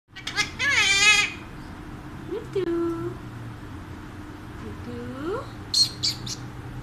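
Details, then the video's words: A pet Alexandrine parakeet talking, producing speech-like phrases with a loud harmonic burst, then gliding and level whistled tones, indoors with a steady low hum. "My Alexandrine Parrot Talks Everything"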